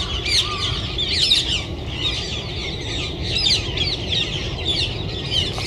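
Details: Rose-ringed parakeets, part of a flock of about 1000 descended from escaped pets, entering a winter roost in a Japanese city; dense overlapping shrill screeches and chattering form a continuous high-pitched din, with low city rumble beneath.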